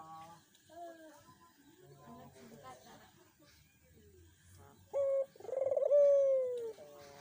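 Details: Dove cooing, played to encourage a silent dove to call: a man talks quietly at first, then a short low hoot is followed by a long trembling coo that slowly falls in pitch.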